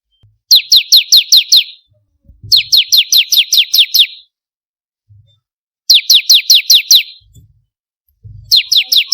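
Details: Bar-winged prinia song played as a lure to get captive birds singing: bursts of about six sharp, high, downward-slurred notes in quick succession, separated by pauses of one to two seconds, with faint low thumps between bursts.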